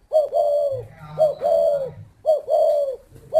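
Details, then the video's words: Spotted dove cooing, with three repeated phrases about one second apart. Each is a short lead-in note followed by a longer, mellow, slightly arched coo. A faint low hum runs underneath. "chim cu thổ"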